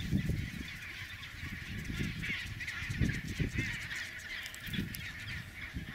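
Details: On a snow highway linking sea and nesting colony, chinstrap penguins give low, grating honks in scattered bursts, the loudest at the start and near three seconds, against steady hiss.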